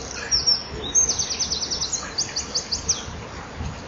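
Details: Male common kingfisher at its nest burrow in a wall on 8 March at 08:23, flying to a spot in the wall and then into the right artificial tunnel. A rapid series of about ten thin, shrill, high whistles, each sliding downward.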